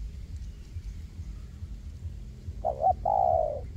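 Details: Spotted dove used as a trapping decoy in a forest, luring wild doves: one brief coo phrase near the end, a quick doubled note then a sustained mellow coo, after quiet low background hum.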